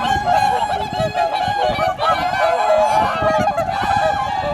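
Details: At dawn on a Japanese pond, many swans honk together in a thick, reedy chorus of overlapping 'kuu' notes, steady and unbroken, recorded on a camera microphone with faint wind.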